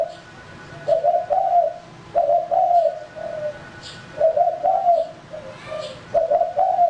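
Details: Male spotted dove used as a decoy, cooing in repeated phrases of burry, slightly rising double coos followed by softer short notes, about every two seconds.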